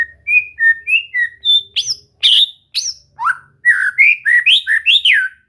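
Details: White-rumped shama (murai batu) being trained to sing: a steady string of short, clear whistled notes alternating in pitch, broken by a few harsher bright bursts, then a lively run of swooping whistles.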